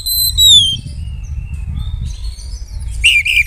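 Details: Oriental magpie-robin song aimed at provoking rivals: a long, loud descending whistle followed by faint thin notes and a sudden harsh chattering burst at the end, with steady low background hum.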